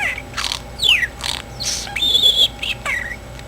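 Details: A sleepy pet talking parakeet chatters softly in short bursts: raspy buzzy notes mixed with thin descending and level whistles, several per second, over a quiet room hum.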